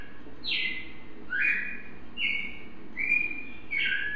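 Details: Brazilian cardinal song: five bold whistled notes, a steep downslur first, then rising and level slurred whistles, delivered at a relaxed, uneven rhythm.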